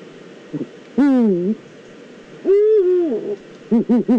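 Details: Eurasian eagle-owls, a pair in the Eifel, give raspy, harmonic calls that start high and drop, each lasting about half a second, at one and two and a half seconds. A quick burst of three short, clipped notes closes the clip.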